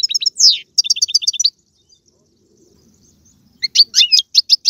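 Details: European goldfinch song meant to excite a pet goldfinch: a rapid twittering phrase, a quiet pause with faint low noise, then renewed bright chirping notes.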